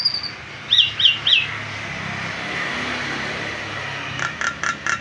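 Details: Nias hill myna singing continuously, a recording meant to prompt other birds to sing: three clear rising-falling whistles in quick succession, a quieter pause with background hum, then a short series of sharp high notes at the end.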